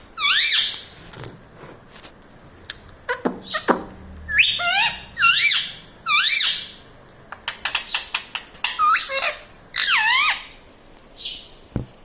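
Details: Pet talking parrot chattering in human-like words such as "Mummy" and "Papa". Many short, sharp, chevron-shaped syllables follow in rapid, irregular bursts across the whole stretch, with faint clicks between them indoors.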